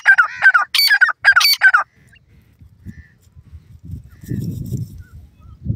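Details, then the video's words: Grey francolin calling: loud, ringing, harmonic notes repeated rapidly in a short burst for about two seconds, then quiet with low rumbling background noise. "partridge awaz, teetar awaz"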